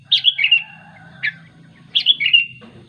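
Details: A sooty-headed bulbul calls its companions with two clear, warbled phrases of falling chirps about two seconds apart, separated by a single short note, low background hum.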